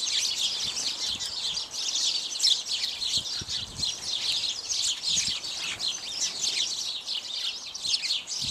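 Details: Several house sparrows, mostly males with at least one female, feeding on bird seed; dense overlapping chirps and cheeps run continuously, a busy chattering flock with no pauses.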